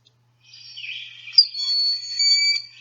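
A Broad-winged Hawk gives a thin, very high whistle: a brief lead-in note, then a long, steady, drawn-out tee-tseee lasting over a second.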